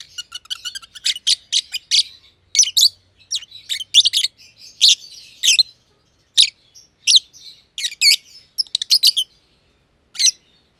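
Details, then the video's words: A green personata lovebird and a green pied companion, kept in an aviary, chirp continuously, with crisp, buzzy notes coming every half second or faster and occasional short chattering runs. "Lovebird Chirping Sounds"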